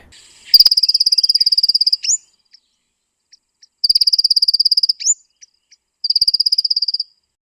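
Black Cuckooshrike giving three long, high, insect-like buzzing trills, each over a second, followed by quick upslurred notes and soft ticks.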